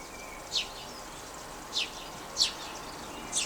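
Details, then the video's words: House sparrows, probably feeding on the ground by a backyard feeder in Kansas City, Missouri, on May 15 in spring, give four short, loud, bright chirps about a second apart, sharp and high, against a soft outdoor background hiss. "the very loud chirp you hear there are the house sparrows"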